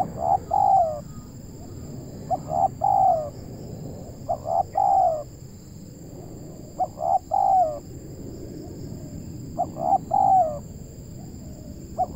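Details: Spotted dove, a local Indonesian bird, recorded while trapping. Repeated mellow coo phrases of a clipped opening note followed by two drawn-out coos, five or six phrases at roughly two-second spacing, with a faint constant high whine.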